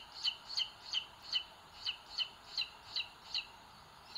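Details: Booted eagle chicks in their nest in Sierra de Guadarrama National Park, Spain, 2022, seen on a live stream as the bigger one pecks the little one; about ten shrill, two-toned peeps in slightly uneven rhythm.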